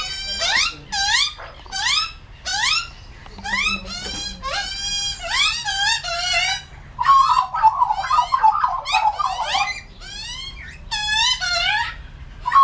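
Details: Wild Australian magpies being fed mincemeat in a backyard in the morning, a juvenile among the adults calling noisily: repeated loud, harsh, wavering squawks rising then falling, in bursts about every second, with warbling chatter midway.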